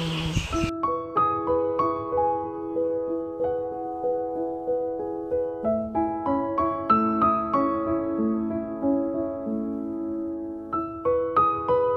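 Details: Soft piano music with sustained chords and gentle repeated notes, with no animal sounds.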